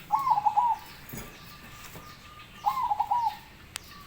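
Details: Zebra dove song: a loud, quick, rolling coo phrase is followed about two and a half seconds later by another like it, with a faint steady tone between the phrases and a brief click near the end.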